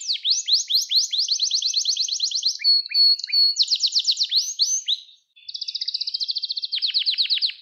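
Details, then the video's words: Canary song recorded for training young canaries to sing: rapid rolling trills of repeated falling notes, a brief steady whistle, then a fresh trill after a short pause. "Kanarya Sesi Ötüş Eğitimi 2021 | Kanarya Ötüşü ve Ötüm Eğitimi"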